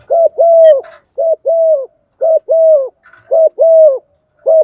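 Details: Decoy spotted dove delivering a steady run of coos to provoke rivals: four short-then-long coo pairs in quick succession plus the start of a fifth, with brief faint chirps from another bird in between.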